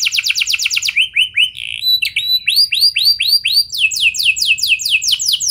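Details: Lure song of a canary meant to set other canaries singing: varied phrases of fast downslurred notes, a short buzzy burst, slower rising whistled sweeps, then another quick rolling trill.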